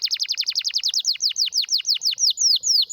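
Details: Canary singing a rare, strong song used to train young canaries: a fast series of bright, downward-sweeping notes that gradually slow and lengthen into clear falling whistles.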